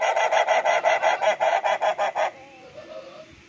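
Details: Ayam Ketawa (laughing chicken), a domestic chicken breed, gives a relaxed laughing crow: a quick, even run of about eleven harsh, harmonic syllables at roughly five per second, stopping abruptly after two seconds and leaving near silence.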